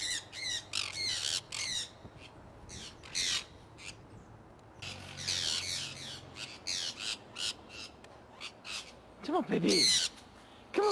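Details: An owner's flock of conures out flying in Iowa, early spring 2003; loud grating squawks come in clustered bursts with gaps, mixed with a person talking and a brief lower call near the end.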